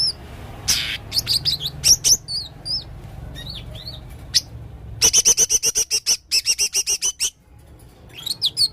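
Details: Male blue-crowned hanging parrot singing 'gacor' in full 'isian' style: varied high chirps and curling whistles, then a fast rattling run of sharp clicks for two seconds, ending in further scattered chirps.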